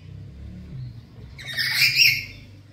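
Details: Home-kept black-capped lory, noted as very vocal, giving one rough scratchy screech in the second half, set against a steady low rumble like passing traffic.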